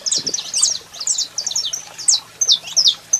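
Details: Saffron finch, a male singing with a female calling: a fast run of sharp, high chirps and short buzzy slurred notes, repeated about three times a second with uneven spacing, over a faint low hum.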